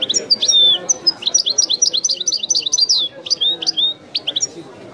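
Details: European goldfinch performing authentic Widani song: loud continuous high twittering, sharp chirps and quick downslurred notes in rapid uneven succession.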